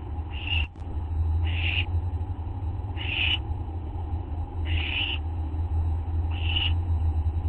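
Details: Owls on a live camera, August 24, 2011, 11:04 PM: five breathy, rasping screech bursts about one to one and a half seconds apart, a sharp click near the start, and a low constant hum.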